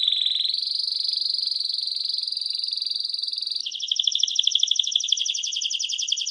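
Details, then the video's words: Canary holding a long, steady high whistled note for over three seconds, then bursting into a rapid buzzy trill of repeated notes. "Canary-Canario Singing 2017(Kanarya Ötümü)"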